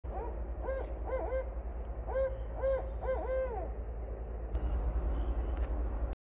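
Barred owl giving a run of rich, wavering hoots that rise and fall, several in quick succession, over a steady low rumble.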